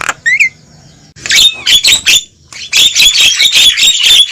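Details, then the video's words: Raucous Javan myna lure call, meant to pull wild mynas in toward a trap: a single rising whistle, a pause, then rhythmic harsh squawks repeated rapidly in two bursts. "Suara Burung Jalak Kebo Ribut||Suara Pikat Jalak Kebo"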